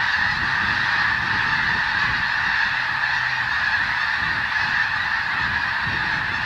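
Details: Several thousand snow geese on a sprouting wheat field in the Skagit Delta of Washington State, driven off by cracker shells. A dense, even clamour of nasal honks from the whole flock, with faint low rumble beneath.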